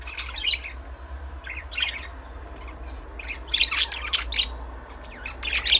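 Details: Budgies chattering with dense scratchy chirps and warbled squawks, bunched in irregular bursts that grow busier toward the end, over a faint low hum.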